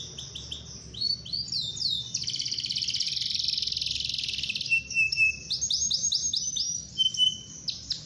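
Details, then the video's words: Canary with a long rolling song used to draw other canaries into song; swept notes lead into a sustained rapid trill, followed by clear whistles and repeated looping phrases. "KENARI GACOR NGEROL PANJANG AMPUH PANCING KENARI AGAR IKUT GACOR"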